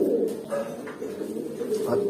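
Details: Indoor pigeons about eight or nine months old giving continuous low, purring coos with soft rising notes, accompanied by light tapping and rustling.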